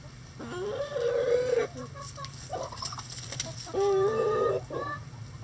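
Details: Rooster crowing among scratching chickens in the coop: two loud drawn-out harmonic crows, each about a second long and slightly wavering, about three seconds apart, with short clucks between them.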